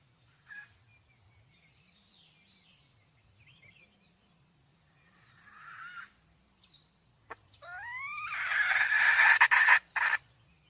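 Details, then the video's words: Red junglefowl hen, 2023: faint high chirps give way to a rising, squealing note climbing in harmonics, then a loud, harsh, broken cackle in quick bursts near the end. "Tiếng gà mái rừng"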